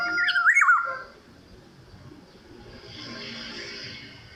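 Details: Black-naped oriole singing in a light drizzle, opening with a clear, mellow whistled phrase that dips and rises over about a second, then only the gentle hiss of rain and quiet background.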